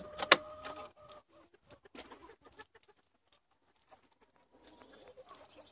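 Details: Chickens from a flock of 70 being let out for the day in Longford, Ireland, on 25 February 2016: one sharp, loud squawk near the start, then faint scattered clucks and soft scratching sounds.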